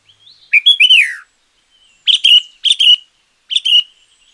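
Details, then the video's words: Loud sooty-headed bulbul, a champion bird whose song serves as a lure or tutor recording, opens with a falling, slurred whistle, then gives three short, bright, down-slurred phrases in quick succession. "Suara Pancingan Burung Kutilang Gacor Juara.Cocok Untuk Masteran Burung Kutilang yang Malas Bunyi."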